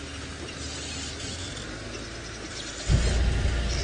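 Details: A safari drive at sunrise: broad engine and wind hiss, then a sudden low thump and louder rumble near the end, with no animal calls.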